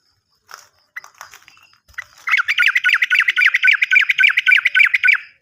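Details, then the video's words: Sooty-headed bulbul lure song for birds that stop singing and for newly caught birds: scattered chirps build into a long even trill of rapid, buzzy, down-dipping notes, about four per second, ending in a fading rattle. "PANCINGAN BURUNG TRUCUKAN MACET BUNYI ‼️ bisa juga untuk burung Trucukan bahan"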